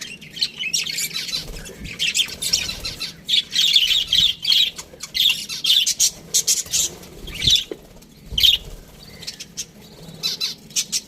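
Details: Aviary budgerigars chattering in a dense run of high, raspy chirps and squawky notes, nearly continuous with brief gaps, several birds calling together.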